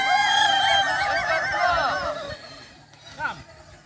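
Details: During a boko-class crowing competition final at Sirukam dairy farm in Solok regency, a Kukuak Balenggek rooster gives a long, rich crow of wavering, looping syllables lasting about two seconds and trailing off, followed by quieter background and a short distant call.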